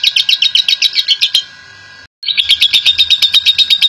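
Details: Champion lovebird in a long ngekek chattering song used as a lure to set other lovebirds singing: fast, high, buzzy chatter pulsing several times a second, broken by a brief abrupt cut midway before the rapid chatter resumes.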